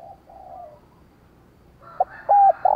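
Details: Spotted dove in the 'sát bổi' calling style, used to stimulate decoy birds to coo: faint distant cooing at first, then a sharp click and two loud, harsh, clipped coo notes close by at the end.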